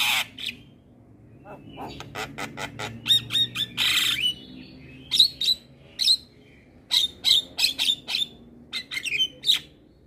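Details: Asian pied starling training song for kept birds: rapid clicks and squawks, a harsh rasping burst, then ringing whistled notes repeated at irregular intervals amid chattering.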